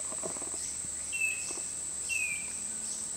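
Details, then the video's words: A Chestnut-backed Antbird (Myrmeciza exsul) at Turubari Park, Costa Rica, gives two clear, slightly falling whistles about a second apart, over a steady high insect drone. "Chestnut backed Antbird"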